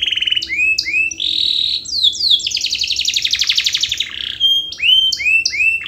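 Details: Canary in full song, intended to prompt idle canaries to sing; upward-curving whistled notes, a dense buzzy trill in the middle, then more rising slurs and clipped high chips.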